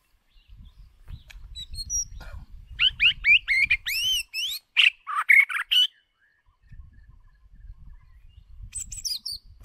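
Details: White-rumped shama used as a decoy for voice training, singing a rich run of rapid looping, rising whistles and harsh notes for about three seconds, preceded and followed by high thin twitters over steady low background hum.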